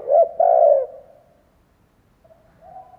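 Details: Decoy spotted dove finishing a lure call: a short note and a long, deep, smoothly falling coo, then near silence and a faint, soft coo starting at the end.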